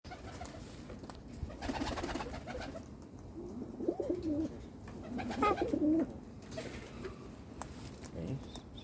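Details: A young cockatoo, just brought in by its mother, makes a low, rhythmic droning with rapid pulsing notes; a man's voice and faint room noise are also heard.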